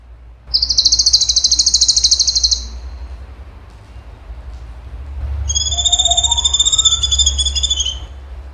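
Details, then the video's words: Cucak cungkok singing in the rapid 'tembakan' style: a dense high buzzy trill of fast repeated notes for two seconds, a pause, then a second rattling burst with layered descending tones. "CUNGKO GACOR TEMBAKAN HOT SUPER TEJEM"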